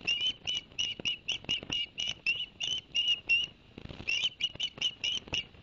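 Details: At a Barnegat Light, New Jersey osprey nest on 11 September 2021, a live camera records repeated short whistled chirps in rapid runs with a brief pause midway, over a faint noisy background; the adult male had just brought two fish.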